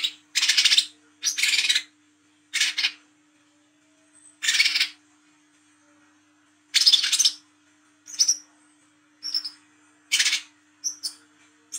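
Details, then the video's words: Night recording of a 'wiceh trotol' sunbird in bold 'ngriwik' chatter, meant as a lure for coconut sunbirds: harsh broadband bursts separated by pauses, later mixed with thin high whistled chips, faint hum throughout. "KOLIBRI KELAPA WICEH TROTOL GACOR NGRIWIK NGLAGU MENTAL JAHAT/PANCINGAN KOLAP"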